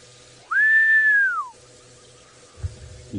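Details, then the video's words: Lizard Buzzard perched in Djuma Game Reserve, Sabi Sand, South Africa, on a sunrise drive on 7 March 2018, not giving its full call. It gives a single clear one-second whistle rising sharply, holding, then sliding down; faint rustling and murmurs follow. "definitely a lizard Buzzard can you hear it folks"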